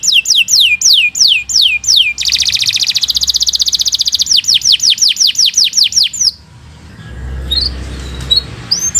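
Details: Canary in long song used for training other birds: repeated falling whistled sweeps, a long fast buzzy roll, more sweeps, then a pause with only faint scattered notes.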